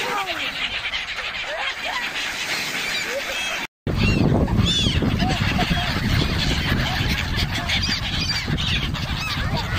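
Many gulls call at once, overlapping short arched squawks and mews repeated several times a second, over a steady low roar with a brief cut partway through.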